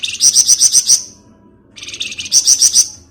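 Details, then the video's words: Lure recording of a Flamboyan giving rapid 'ngebren' chatter: two loud bursts of high, evenly spaced buzzy notes, about six per burst, with a pause of under a second between them. "Rajanya Ngebren Burung Flamboyan cocok buat Pancingan"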